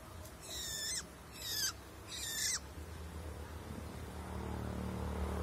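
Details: Long-tailed shrike in the wild gives three harsh, rasping bursts about half a second apart, each ending in a falling note, then quiet with low background rumble.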